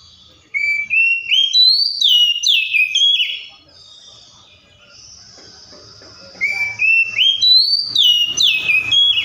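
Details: Oriental magpie-robin song: a run of bright whistled notes climbing in steps and then tumbling down in rapid slurred phrases, a brief quieter pause with a thin whistle, then the rising run repeats.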